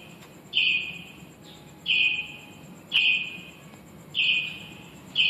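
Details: Finches nesting inside a shop, recorded on a phone: a flat, buzzy note repeated about every 1.2 seconds, over a steady high electrical whine and low background rumble.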